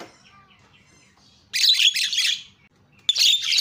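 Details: Lure sound of a Javan myna meant to make other mynas cry out: quiet faint whistles at first, then two loud bursts of harsh, hissing screeches.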